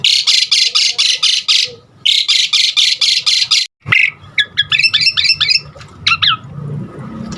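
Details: Two quick runs of loud grating rasps from an Asian pied starling, broken by a pause, then a sharp click and a burst of fast twittering chirps, all part of a song that stirs other starlings to sing.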